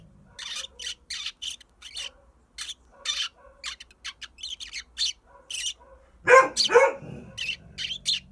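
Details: Pet Eurasian tree sparrow by the front door for sunbathing, answering a dog that keeps barking; rapid bursts of bright, high chirps about twice a second, broken near the end by a loud, lower bark before the chirping resumes.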